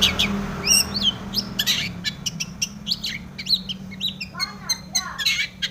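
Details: Long-tailed shrike in energetic mimicry song with tomiceng material, used to provoke other shrikes to sing. Varied whistles, harsh buzzy bursts and chips follow one another quickly and irregularly.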